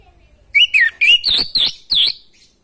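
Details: A crisp, clean phrase of orange-headed thrush song: about six strong notes, slurred whistles climbing then sharper high chirps, packed into under two seconds with a quiet background. Intended to stimulate a bird lacking breeding urge.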